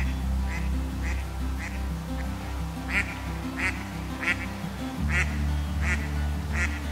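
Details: The father of an Eastern spot-billed duck family, squabbling with a parent common moorhen, gives short, harsh quacks about twice a second in an aggressive exchange, over steady background music.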